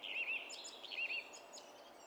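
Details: Brief burst of song thrush song recorded 27 April 2016: a quick doubled whistle, high thin notes, then the doubled whistle again.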